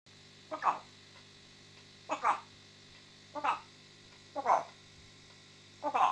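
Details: A pet African grey parrot speaking indoors, which its owner says is telling him to "fuck off": five short, voice-like bursts spaced one to two seconds apart over a faint steady hum.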